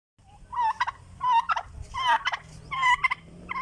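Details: Turkey calling when hungry: four bursts of rapid warbling gobbles, each a quick, jittery chain of notes about a second long, separated by short pauses, with low rumbling noise underneath.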